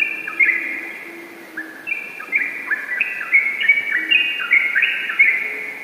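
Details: Yellow-vented bulbul in ropel song, a few opening whistles giving way to a rapid cascade of bright, stepped, slurred notes, with a low faint hum beneath.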